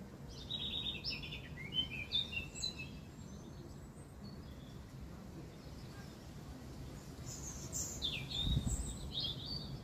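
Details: A robin sings in spring in a garden at Hidcote with anemones, giving high, thin, rippling phrases at the start and end, with a low rumble and a brief thump in the background.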